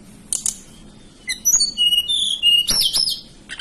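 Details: Hill blue flycatcher, a native bird of the Banten and West Java highlands. Varied high, sweet whistles alternate between steady and gently wavering notes, framed by sharp clicking bursts at the start, middle and end.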